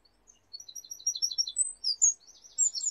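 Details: Wren from a family nesting beside a garden window, recorded 22 July 2021: a loud, very high, rapid trilled song of tumbling notes and fast rattling runs, carrying on without pause.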